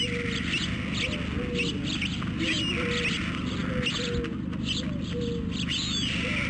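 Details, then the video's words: At a Romanian white stork nest in Carpinis, 12 August 2014, hungry young beg with a string of short, evenly pitched mewing calls about once per second, accompanied by sharp high bird chirps and continuous low rumble. "Poor, hungry storklets"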